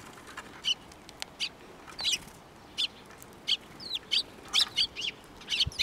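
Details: Sparrows coming to be fed at a Tenmangu shrine in Japan, April 2024: scattered brief high chirps, some in quick pairs, against a constant hiss of background noise.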